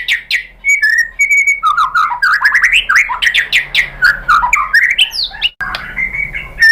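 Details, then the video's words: White-rumped shama song played as a lure to provoke a rival shama to sing: fast, varied string of whistled and chattering phrases, dense and loud, with a brief break near the end. "MURAI BATU jadi EMOSI NYAUT ikut BUNYI GACOR BONGKAR MATERI dengan PANCINGAN MURAI ini"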